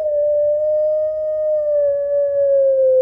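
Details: Puter Pelung Barbary dove calling to a rival. A single loud, unbroken, steady note lasts the full three seconds, easing slightly lower at the end.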